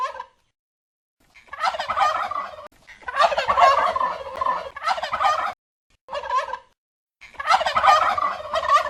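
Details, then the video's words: Turkeys gobbling, described as glu glu glu: bursts of rapid, rattling gobbles lasting one to two seconds, separated by short silences, about five bouts, with no other sounds. "som de peru - sons de peru gritando glu glu glu glub glub glub"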